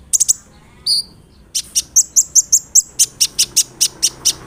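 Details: Olive-backed sunbird (kolibri ninja) song meant to make other sunbirds respond: a few quick high ticks, a brief whistle, then a steady series of sharp, piercing notes about four per second.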